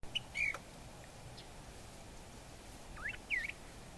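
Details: Northern mockingbird calling in Kimble County, Texas, on 26 November 2014: a short high note and a slurred whistle, a pause, then a pair of quick rising-falling slurred notes, against steady background hiss.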